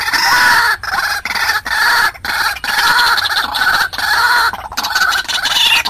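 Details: White-breasted waterhen lure call used in Vietnam to attract wild waterhens to traps: loud, harsh, nasal notes with a rising hook, repeated in rapid bursts with brief gaps, heavily saturated recording.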